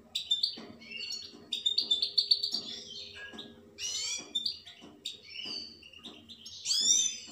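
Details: Singing European goldfinch: loud twittering phrases mixing clear chirps, drawn-out buzzy notes and descending slurs, with soft repeated tapping heard beneath the song.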